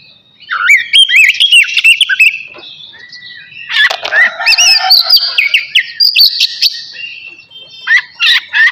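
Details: Caged navy oriental magpie-robin singing before its bath: starts after a short silence with looping slurred whistles, then a burst of harsh noisy chatter and more whistled phrases, ending in clipped repeated notes.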